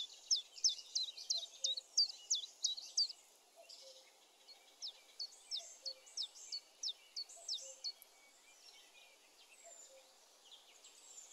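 Common chiffchaff singing two bursts of its steady, high chiff-chaff notes, about three a second and alternating slightly in pitch, over faint low background sounds.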